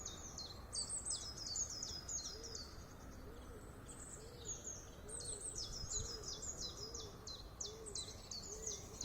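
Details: Common chiffchaff (Phylloscopus collybita), a brown migrant warbler that arrives in spring and stays through summer, recorded in York, sings its name: a brisk, uneven run of high, sharp notes alternating up and down, 'chiff-chaff-chiff', over a soft low note about once a second.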